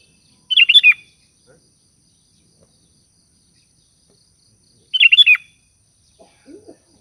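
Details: Sooty-headed bulbul in lively voice calling companions, giving a bright bubbly phrase of four or five fluty notes, repeated about every four seconds, with faint low chirps near the end.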